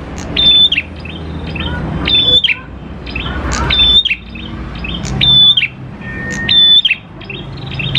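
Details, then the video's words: Energetic prinia (prenjak klawu) song used as a lure to make prinias sing: sharp chips before a level high whistle ending in a quick downslur, repeated about every 1.5 seconds with scattered ticks. "PANCINGAN PRENJAK KLAWU GACOR, NGALUN BIKIN PRENJAK CEPAT BUNYI"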